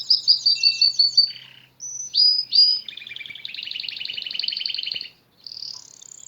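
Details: Canary song made of short sections: a series of six quick high notes, a low buzz, two swooping whistles, then a long fast rolling trill and a rising note.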